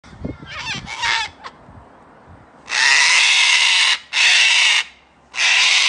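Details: Wild cockatoos fighting give harsh, raspy screeches: shorter grating squawks with some knocking, then three long, ear-splitting blasts of about a second each.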